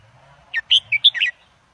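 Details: Red-whiskered bulbul in a cage, an Indo-double singer for teaching young birds: one short phrase of five clear, sweet whistled notes, rising and falling, with faint low hum beneath.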